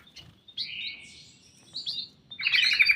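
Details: Ruby-throated bulbul in a private aviary: drawn-out sliding whistles with short gaps, closing in a loud, rapid, bubbling burst of notes.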